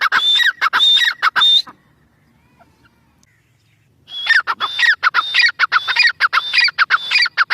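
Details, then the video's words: A grey francolin, or Irani teetar, gives loud rhythmic squawking phrases with a piercing whistled top note. It pauses for over two seconds of quiet, then returns with a rapid, evenly spaced series. "Irani teetar full Masti Awaz"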